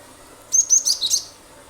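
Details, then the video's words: Cinereous tit in its shooting 'nembak' song, used as a lure for other birds: five fast, very high whistled notes in under a second, the later ones buzzier and dropping lower, steady soft background hiss. "pancingan ampuh glatik batu gacor nembak nembak pasti burung lain ikut bunyi"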